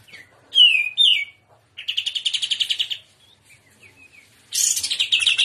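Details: Greater green leafbird, trotolan song in shrimp style: two loud falling whistles, then a steady fast series of about fifteen repeated notes, soft chips, and a final burst of crowded high chatter.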